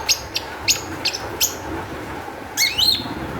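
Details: Long-tailed shrike song used as a lure to make other shrikes sing: a few sharp high chirps and short downslurred notes, then a quick rising-falling burst of squeaky notes near the end, over a low steady background hum.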